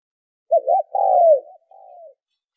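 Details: Single spotted dove phrase for stimulating decoy birds: a quick two-part wavering note, a strong drawn-out coo curving downward, then a faint trailing coo, all in a low, mellow register against silence.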